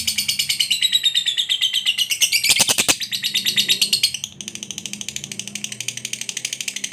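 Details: Lovebird ngekek, a long rattling chatter of fast harsh repeated notes, briefly broken by a loud broadband crackle near the middle, then continuing softer and steady; played to provoke a lazy lovebird into responding.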